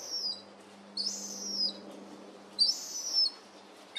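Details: Juvenile herring gull siblings out of the nest and playing; shrill, high whistled squeals, each under a second, two main calls about one and a half seconds apart, with a steady low hum beneath.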